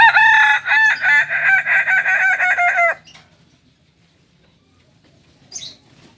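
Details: Special-class Kukuak balenggek cock, native to Solok in West Sumatra, gives a loud terraced crow of many short linked steps lasting about three seconds, followed by near silence and a brief faint chirp.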